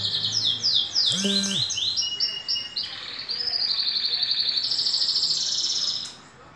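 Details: A green canary aged two, in moult, sings quick repeated descending notes, then long rolling high trills; a brief lower squeak-like sound intrudes near the start.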